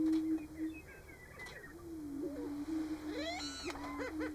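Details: Male greater prairie-chickens displaying on a Nebraska booming ground in March. A continuous low humming drone runs throughout, and a burst of quick rising-falling yelps and cackles comes near the end.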